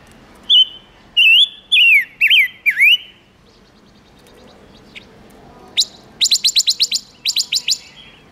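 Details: Silver-eared mesia lure song for attracting wild birds and stirring males: a run of five loud slurred whistles with dipping inflections, a pause, then a quick burst of about ten sharp, high chipping notes.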